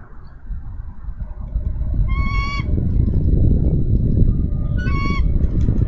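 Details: Female bald eagle calling from a Minnesota nest on 3 May 2013 for her mate to relieve her. Two shrill, ringing notes about three seconds apart cut through strong low rumbling wind-like noise.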